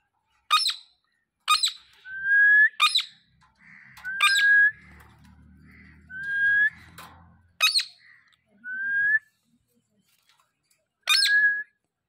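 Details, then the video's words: Parrot calling; harsh broadband squawks alternate with short clear rising whistles, about every one to two seconds, with faint low rumbling in the middle. "Natural Parrot voices"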